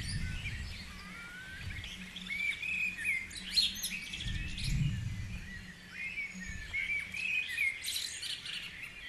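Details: Wild birds singing in the dawn chorus at Guisborough: bright whistled phrases and chirps with short high notes, over a steady low rumble of background noise.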